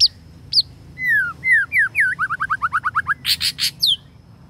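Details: Male white-rumped shama, a lure bird, singing a long drawn-out song: clear whistled notes slurring downward, then a fast run of about a dozen short rising whistles, a few harsh buzzy bursts, and a final high whistle.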